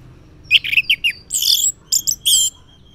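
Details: Orange-headed thrush singing a morning 'ngeplong' lure to stir mute males: quick slurred whistles, then a harsh, buzzy burst, followed by shorter chirps and a sustained high whistled note.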